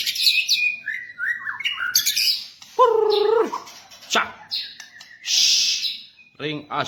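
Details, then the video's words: Varied white-rumped shama song meant as a training model for captive birds: mixed whistles, sliding notes, harsh buzzy bursts and a strong nasal descending call near three seconds, phrases irregular. "macam macam suara murai batu"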